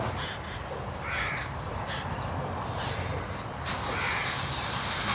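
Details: Two jungle babbler (Turdoides striata) hatchlings, fallen prematurely from their nest in a bamboo thicket, give harsh, raspy begging calls in short bursts about once a second to a parent, over a steady low background rumble.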